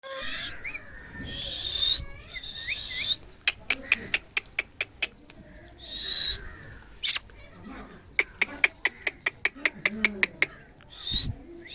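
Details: Angry Alexandrine parakeet giving loud, harsh, rasping screeches in several bursts, mixed with short whistled notes and a rapid series of sharp clicks; background music and brief human speech.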